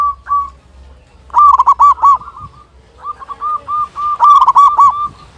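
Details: A local zebra dove with a strong voice sings a few soft coos, then loud rolling phrases of quick, harmonically rich notes separated by a gentler steady cooing series.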